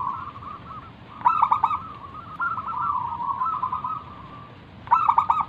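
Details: Zebra dove of a local strain in vigorous song, used to coax other doves into answering. A sharp stuttered burst, then a drawn-out purring trill, then another burst at the end.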